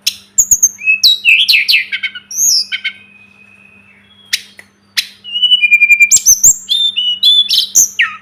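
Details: Tledekan gunung, the Sunda robin, in masteran song: tangled whistled slurs, a long thin sustained tone, a quiet gap, then quick strings of repeated notes and high swooping whistles.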